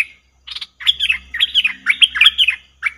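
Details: Cream-vented bulbul lure call for trapping: a rapid, warbling chatter of liquid, up-and-down notes, opened by a short chirp.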